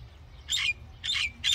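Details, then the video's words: Common myna giving three harsh, broad squawking notes in quick succession, each about a fifth of a second long, against faint low background noise. "Common Myna Bird Song | Common Myna Sound | Common Myna Call | Indian Mynah Sound | Myna Singing"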